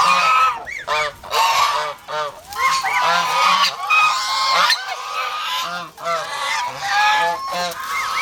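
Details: Domestic geese, an over-protective flock kept as poultry in the Philippines, give loud harsh honks in quick bursts of repeated nasal notes, with short pauses between volleys.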